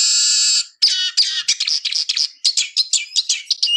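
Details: Eurasian siskin wheezing a long drawn buzz, then launching into a quick series of twittered chirps and trills, repeated rhythmically several times each second.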